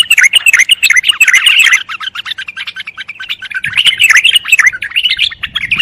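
A bulbul sings a rapid, chattering run of bright warbled notes, dense for nearly two seconds, then a pause and another lively burst.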